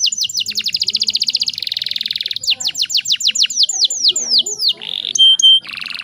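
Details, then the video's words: Domestic canary, described as a breeding-condition female meant to rouse males to sing; quick chattering trill flowing into a dense buzzy roll, then a string of slower, loud descending whistled sweeps and a brief pure whistle before another trill. "PANCINGAN KENARI"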